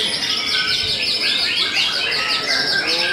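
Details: Steady song from a white-rumped shama of the Murai Batu Belanda type: rapid high twitters and short downslurred whistles repeat quickly in a thick, continuous chorus of notes.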